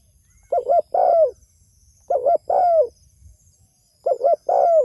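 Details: Calling to its companions, a spotted dove repeats a three-part phrase about every two seconds: two quick clipped coos, then a longer mellow coo dropping in pitch. Soft high chirping sits far in the background.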